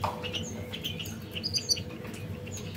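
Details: Nest-building canaries preparing to lay eggs give a quick run of thin, high tweets, clustering into a brief bright burst partway through, against a faint steady hum and light rustling.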